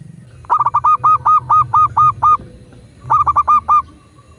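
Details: Local zebra dove used to train and prompt doves to coo: a fast stuttered run of short notes easing into eight evenly spaced rounded coos, then a second shorter stuttering phrase, loud and clear over faint background rumble.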